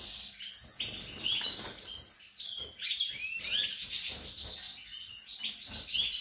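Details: Song of a captive European goldfinch recorded 28 March 2020 among breeding birds with hatched chicks: a dense, rapid twittering of tinkling and buzzy notes, with several short rising slurs and quiet room noise.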